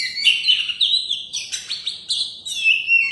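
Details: Champion kacer, oriental magpie-robin, first in its contest, giving short bright whistled phrases with rising and falling slurs in quick succession.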